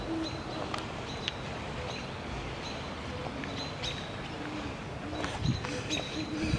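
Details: Great horned owl pair duetting on April 22, 2016, the male near a hollow and the female perched above it; soft, low hoots come at spaced intervals, with quiet human voices and rustling nearby.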